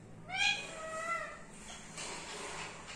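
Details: Pet parrot giving a single harmonic squawk that rises then eases into a drawn-out tone, followed by soft indoor background hiss.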